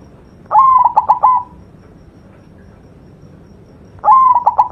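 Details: White zebra dove singing actively for a tutor recording: two cooing phrases about three and a half seconds apart, each a level whistle breaking into fast stuttered pulses before a held final note.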